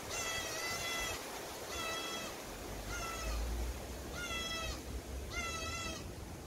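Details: A common cuckoo chick raised by magpies screams for food from its magpie foster parent: five drawn-out, nasal, mewing begging screeches, each under a second, about once a second over steady hiss.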